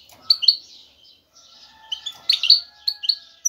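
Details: Courting male goldfinch's song aimed at a female: a few bright chirps, a quiet stretch, then a quick run of ringing twittered notes, with faint lower tones in the background.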